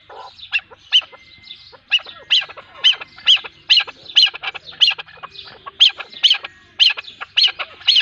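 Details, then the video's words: Female chukar partridge of a pair calling: a loud, steady series of harsh, bright chuk notes, roughly two per second, each with a rasping, scratchy edge, continuing throughout with little background sound. "zark awaz | چکور کی آوازیں|chakor pair | partridge sound | keklik sesi dişi |صوت طائر الحجل"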